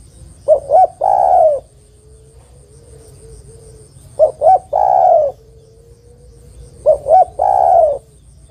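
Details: Calling spotted dove female summoning a male, meant as a lure. Three phrases spaced about three seconds apart, each two brief coos leading into a long mellow coo, over low background hum.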